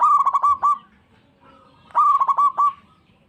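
Zebra dove giving two bursts of its rapid, stuttering coo, soft trilled notes near one pitch run together, with a brief pause between phrases.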